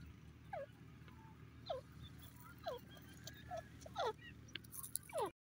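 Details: Grey francolin repeating short, downslurred squealing notes about once a second, the later ones louder and more strident, with faint softer chirps in between and a constant low hum underneath.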